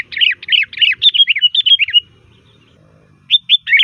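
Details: Rapid run of chattering, bubbly whistled notes from a sooty-headed bulbul, a lure sound for calling bulbuls, pausing for over a second before resuming with clear rising whistles.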